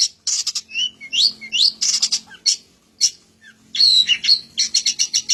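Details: A varied long-tailed shrike song that mixes scratchy chatter with rising and falling whistled slurs and sharp clicks, all in quick succession.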